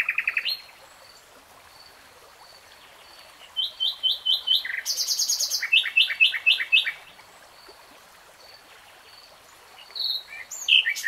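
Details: Common nightingale song with phrases separated by long pauses: a brief low churr, then repeated whistled notes in rapid groups, and later a short high flourish.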